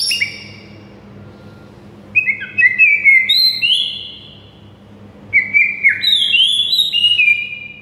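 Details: White-rumped shama master song for prompting silent birds: two bursts of clear whistled phrases with rapid stepped notes and high twittering chips, separated by a quiet pause, low hum throughout.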